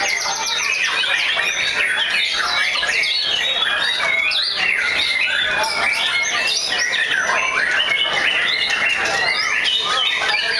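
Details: Competition singing by White-rumped shamas at Bishan on 23 April 2011, many birds at once: rich whistles, quick up-slurs and warbled trills overlap in an unbroken wall of song, with faint voices possibly beneath.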